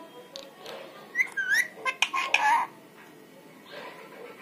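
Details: Parrot imitating people's voices, a quick run of whistled rising notes and chatter in the middle, quieter voice-like murmuring before and after.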